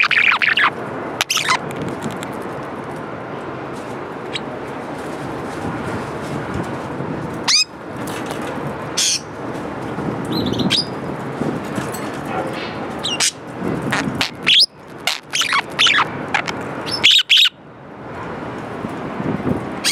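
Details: A pet Australian budgerigar, a male, gives scratchy chirps and quick, sharp twittering notes over a steady rustling background while jumping toward the camera.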